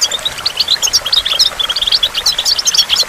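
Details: Brisk goldfinch song beside a waterfall: a quick run of sharp, high tweets and little rising flicks, closely spaced, with running water hissing softly underneath.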